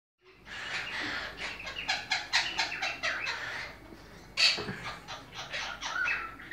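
Monk parakeet giving harsh, raspy chattering screeches in rapid bursts of several notes per second, with a louder squawk near the end.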